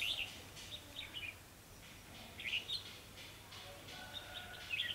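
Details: Red-whiskered bulbul used as a decoy bird for trapping, singing bright warbled phrases of quick rising and falling notes in short bursts, with pauses between, over a faint low hum.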